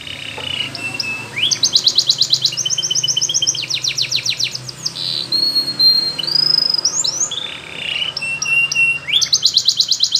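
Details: Canary training song in Spanish Timbrado style: long varied phrases of fast buzzy trills and rolled notes, some rising and falling, with brief whistled tones between, high-pitched throughout, with a faint low hum underneath.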